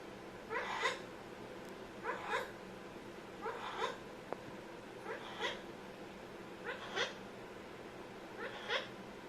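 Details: Pet Amazon parrot producing funny sounds: a steady series of paired bright squawks with stacked overtones, repeated about every one and a half seconds, seven pairs in total, with a single faint click.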